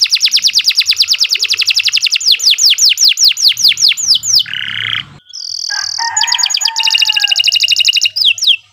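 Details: Canary in long, persistent song for training other birds: quick high trill merging into falling whistled sweeps, a brief harsh note and pause, then a pure whistle and renewed rapid trilling.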